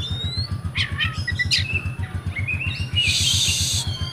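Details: Kept oriental magpie-robin from Comal, Pemalang, Central Java, Indonesia, giving scattered high whistles, quick downslurred notes and a harsh buzzing burst, over a steady low drumbeat pulsing about four times a second.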